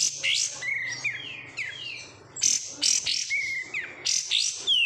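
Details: Oriental white-eye, known locally as kapas tembak, a cage bird raised from a wild-caught bird. It gives a busy high song of thin chirps, sharp descending slurs and short whistled notes, with gaps between bursts.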